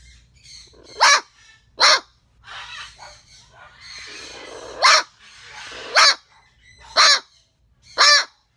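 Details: A parrot called the chihuahua parrot, angrily squawking to scare the neighbours: six loud, harsh, barking squawks at uneven intervals, with rougher, noisy calling in between.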